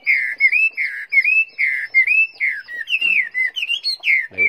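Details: Caged, tame Chinese hwamei singing strongly: a steady run of rich, clear whistled phrases, each rising then dipping, repeated about twice a second with short gaps and a few higher slurred notes near the end.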